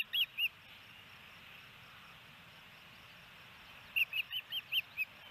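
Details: Osprey on a Missoula, Montana nest in Hellgate Canyon, 28 May 2018, while the male feeds the female a fish: two bright whistled chirps, a long pause, then six more evenly spaced high chirps over light hiss.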